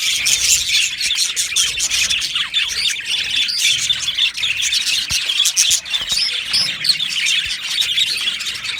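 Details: Australian budgerigars in a colony aviary, 12 July 2025, chirping loudly together: crisp rapid tweets, clicks and warbles from a large group, with a few harsher squawks.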